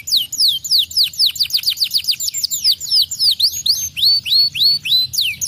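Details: Canary singing strings of sharp downward-sweeping notes, then slower, drawn-out whistles that level off, in a steady, lively rhythm.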